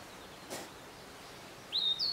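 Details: Narcissus flycatcher at Matsunoyama Onsen: two clear, high whistled notes, the first sliding upward, near the end of a quiet stretch with a brief soft tap earlier.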